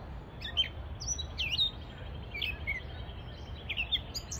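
American robin giving a scatter of short, high chirps and thin slurred notes, about two or three a second, over a steady low rumble of background noise.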